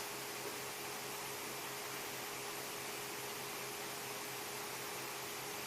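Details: Steady broadband hiss fills the recording, with a faint constant low hum and a thin steady tone underneath; no animal calls.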